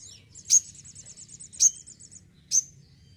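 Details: Sogon (crimson sunbird), a household songbird in lively voice, gives a fine high buzzy trill punctuated by three loud sharp chips about a second apart.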